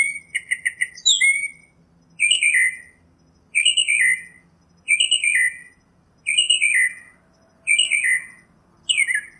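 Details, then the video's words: Northern mockingbird repeating one harsh, descending slurred phrase about seven times at steady intervals of roughly one and a half seconds, opening with a brief stuttered series. "Northern Mockingbird Song, Sound, Voice, Call, Melody - Sinsonte Canto - Mimus Polyglottos"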